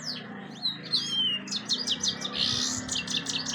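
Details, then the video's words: European goldfinch song over a steady low hum: a few sliding whistles, then quick bursts of high tinkling, twittering notes strung closely together. "golden finch singing nicely طيور الحسون الذهبي تغني بشكل جميل"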